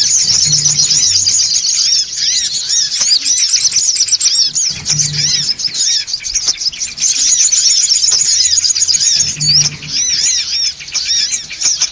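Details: Songon otong calling used as a bird lure, noisy style: a packed flock chatter of high twittering and looping chirps that never pauses, plus a faint intermittent low drone.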